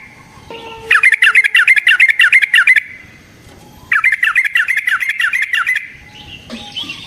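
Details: Yellow-vented bulbul in long rolling fighting song to provoke rivals: two loud, fast chattering runs of harsh, dipping warbled notes, each about two seconds long, separated by a short pause, close and clear.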